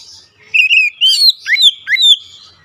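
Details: Lure song of an Oriental magpie-robin, meant to prompt other magpie-robins to sing: a short run of four or five sweet, slurred whistles, some rising and some falling, following a faint opening warble.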